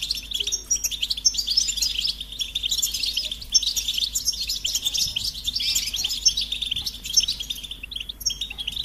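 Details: A goldfinch delivers a continuous, rapid stream of high chirps, trills and liquid twitters, bright and jangling throughout, with occasional short pauses between phrases.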